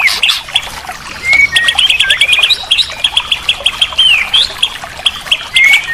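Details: White-rumped shama song on a masteran therapy recording meant to make a bird that has stopped singing sing again: varied clear whistled phrases, some rising and falling slurs, mixed with rapid high chip series and pauses.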